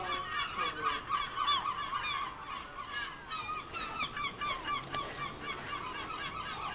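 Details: Herring gulls on the rooftops of Clacton-on-Sea, Essex, England, in July 2015, many birds calling at once: a dense chorus of harsh, nasal, overlapping yelps and cries, several each second.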